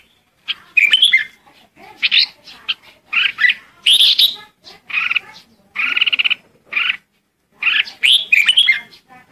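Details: A red-whiskered bulbul decoy calls the flock with a busy run of chattering, warbled phrases and clipped notes, nearly continuous across nine seconds, with some rapid stuttering bursts.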